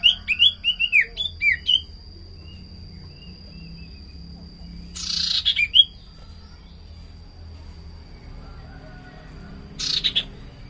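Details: Common iora used as a lure sound: a cluster of quick varied whistled chirps, followed by long quiet gaps broken by two brief harsh buzzy bursts, one carrying a short whistle.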